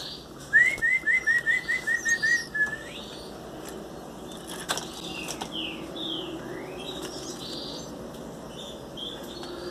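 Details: Belgian canary chicks, 18 days old, being hand-fed baby food into their beaks: a rapid run of about ten short, thin chirps early on, then quieter scattered high chirps and soft rustling.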